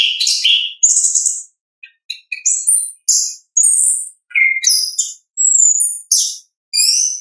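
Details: Natural ngeplong song of an orange-headed thrush, used to stimulate other birds to sing: a lively series of short high whistles, trills and downslurred notes in quick succession, with brief gaps between phrases.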